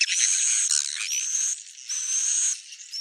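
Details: Swiftlet calls: a shrill, continuous high buzz with a few thin whistled sweeps rising through it. Short dips break the buzz before it resumes, and no other sounds are heard.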